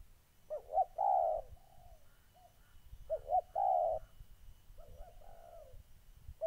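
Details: Molting decoy spotted dove kept caged, meeting a combative wild dove in Gia Lai, Vietnam, 14 August 2020: two phrases of paired short hoots and a long mellow coo, with quieter answering coos between and after.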